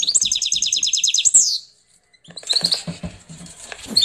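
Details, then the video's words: Female canary crossed with a Portuguese goldfinch: a rapid, bright high trill ending in a swoop, then a pause and softer twittering with low background noise. "Pintagol de canaria x pintassilgo português canta muito!"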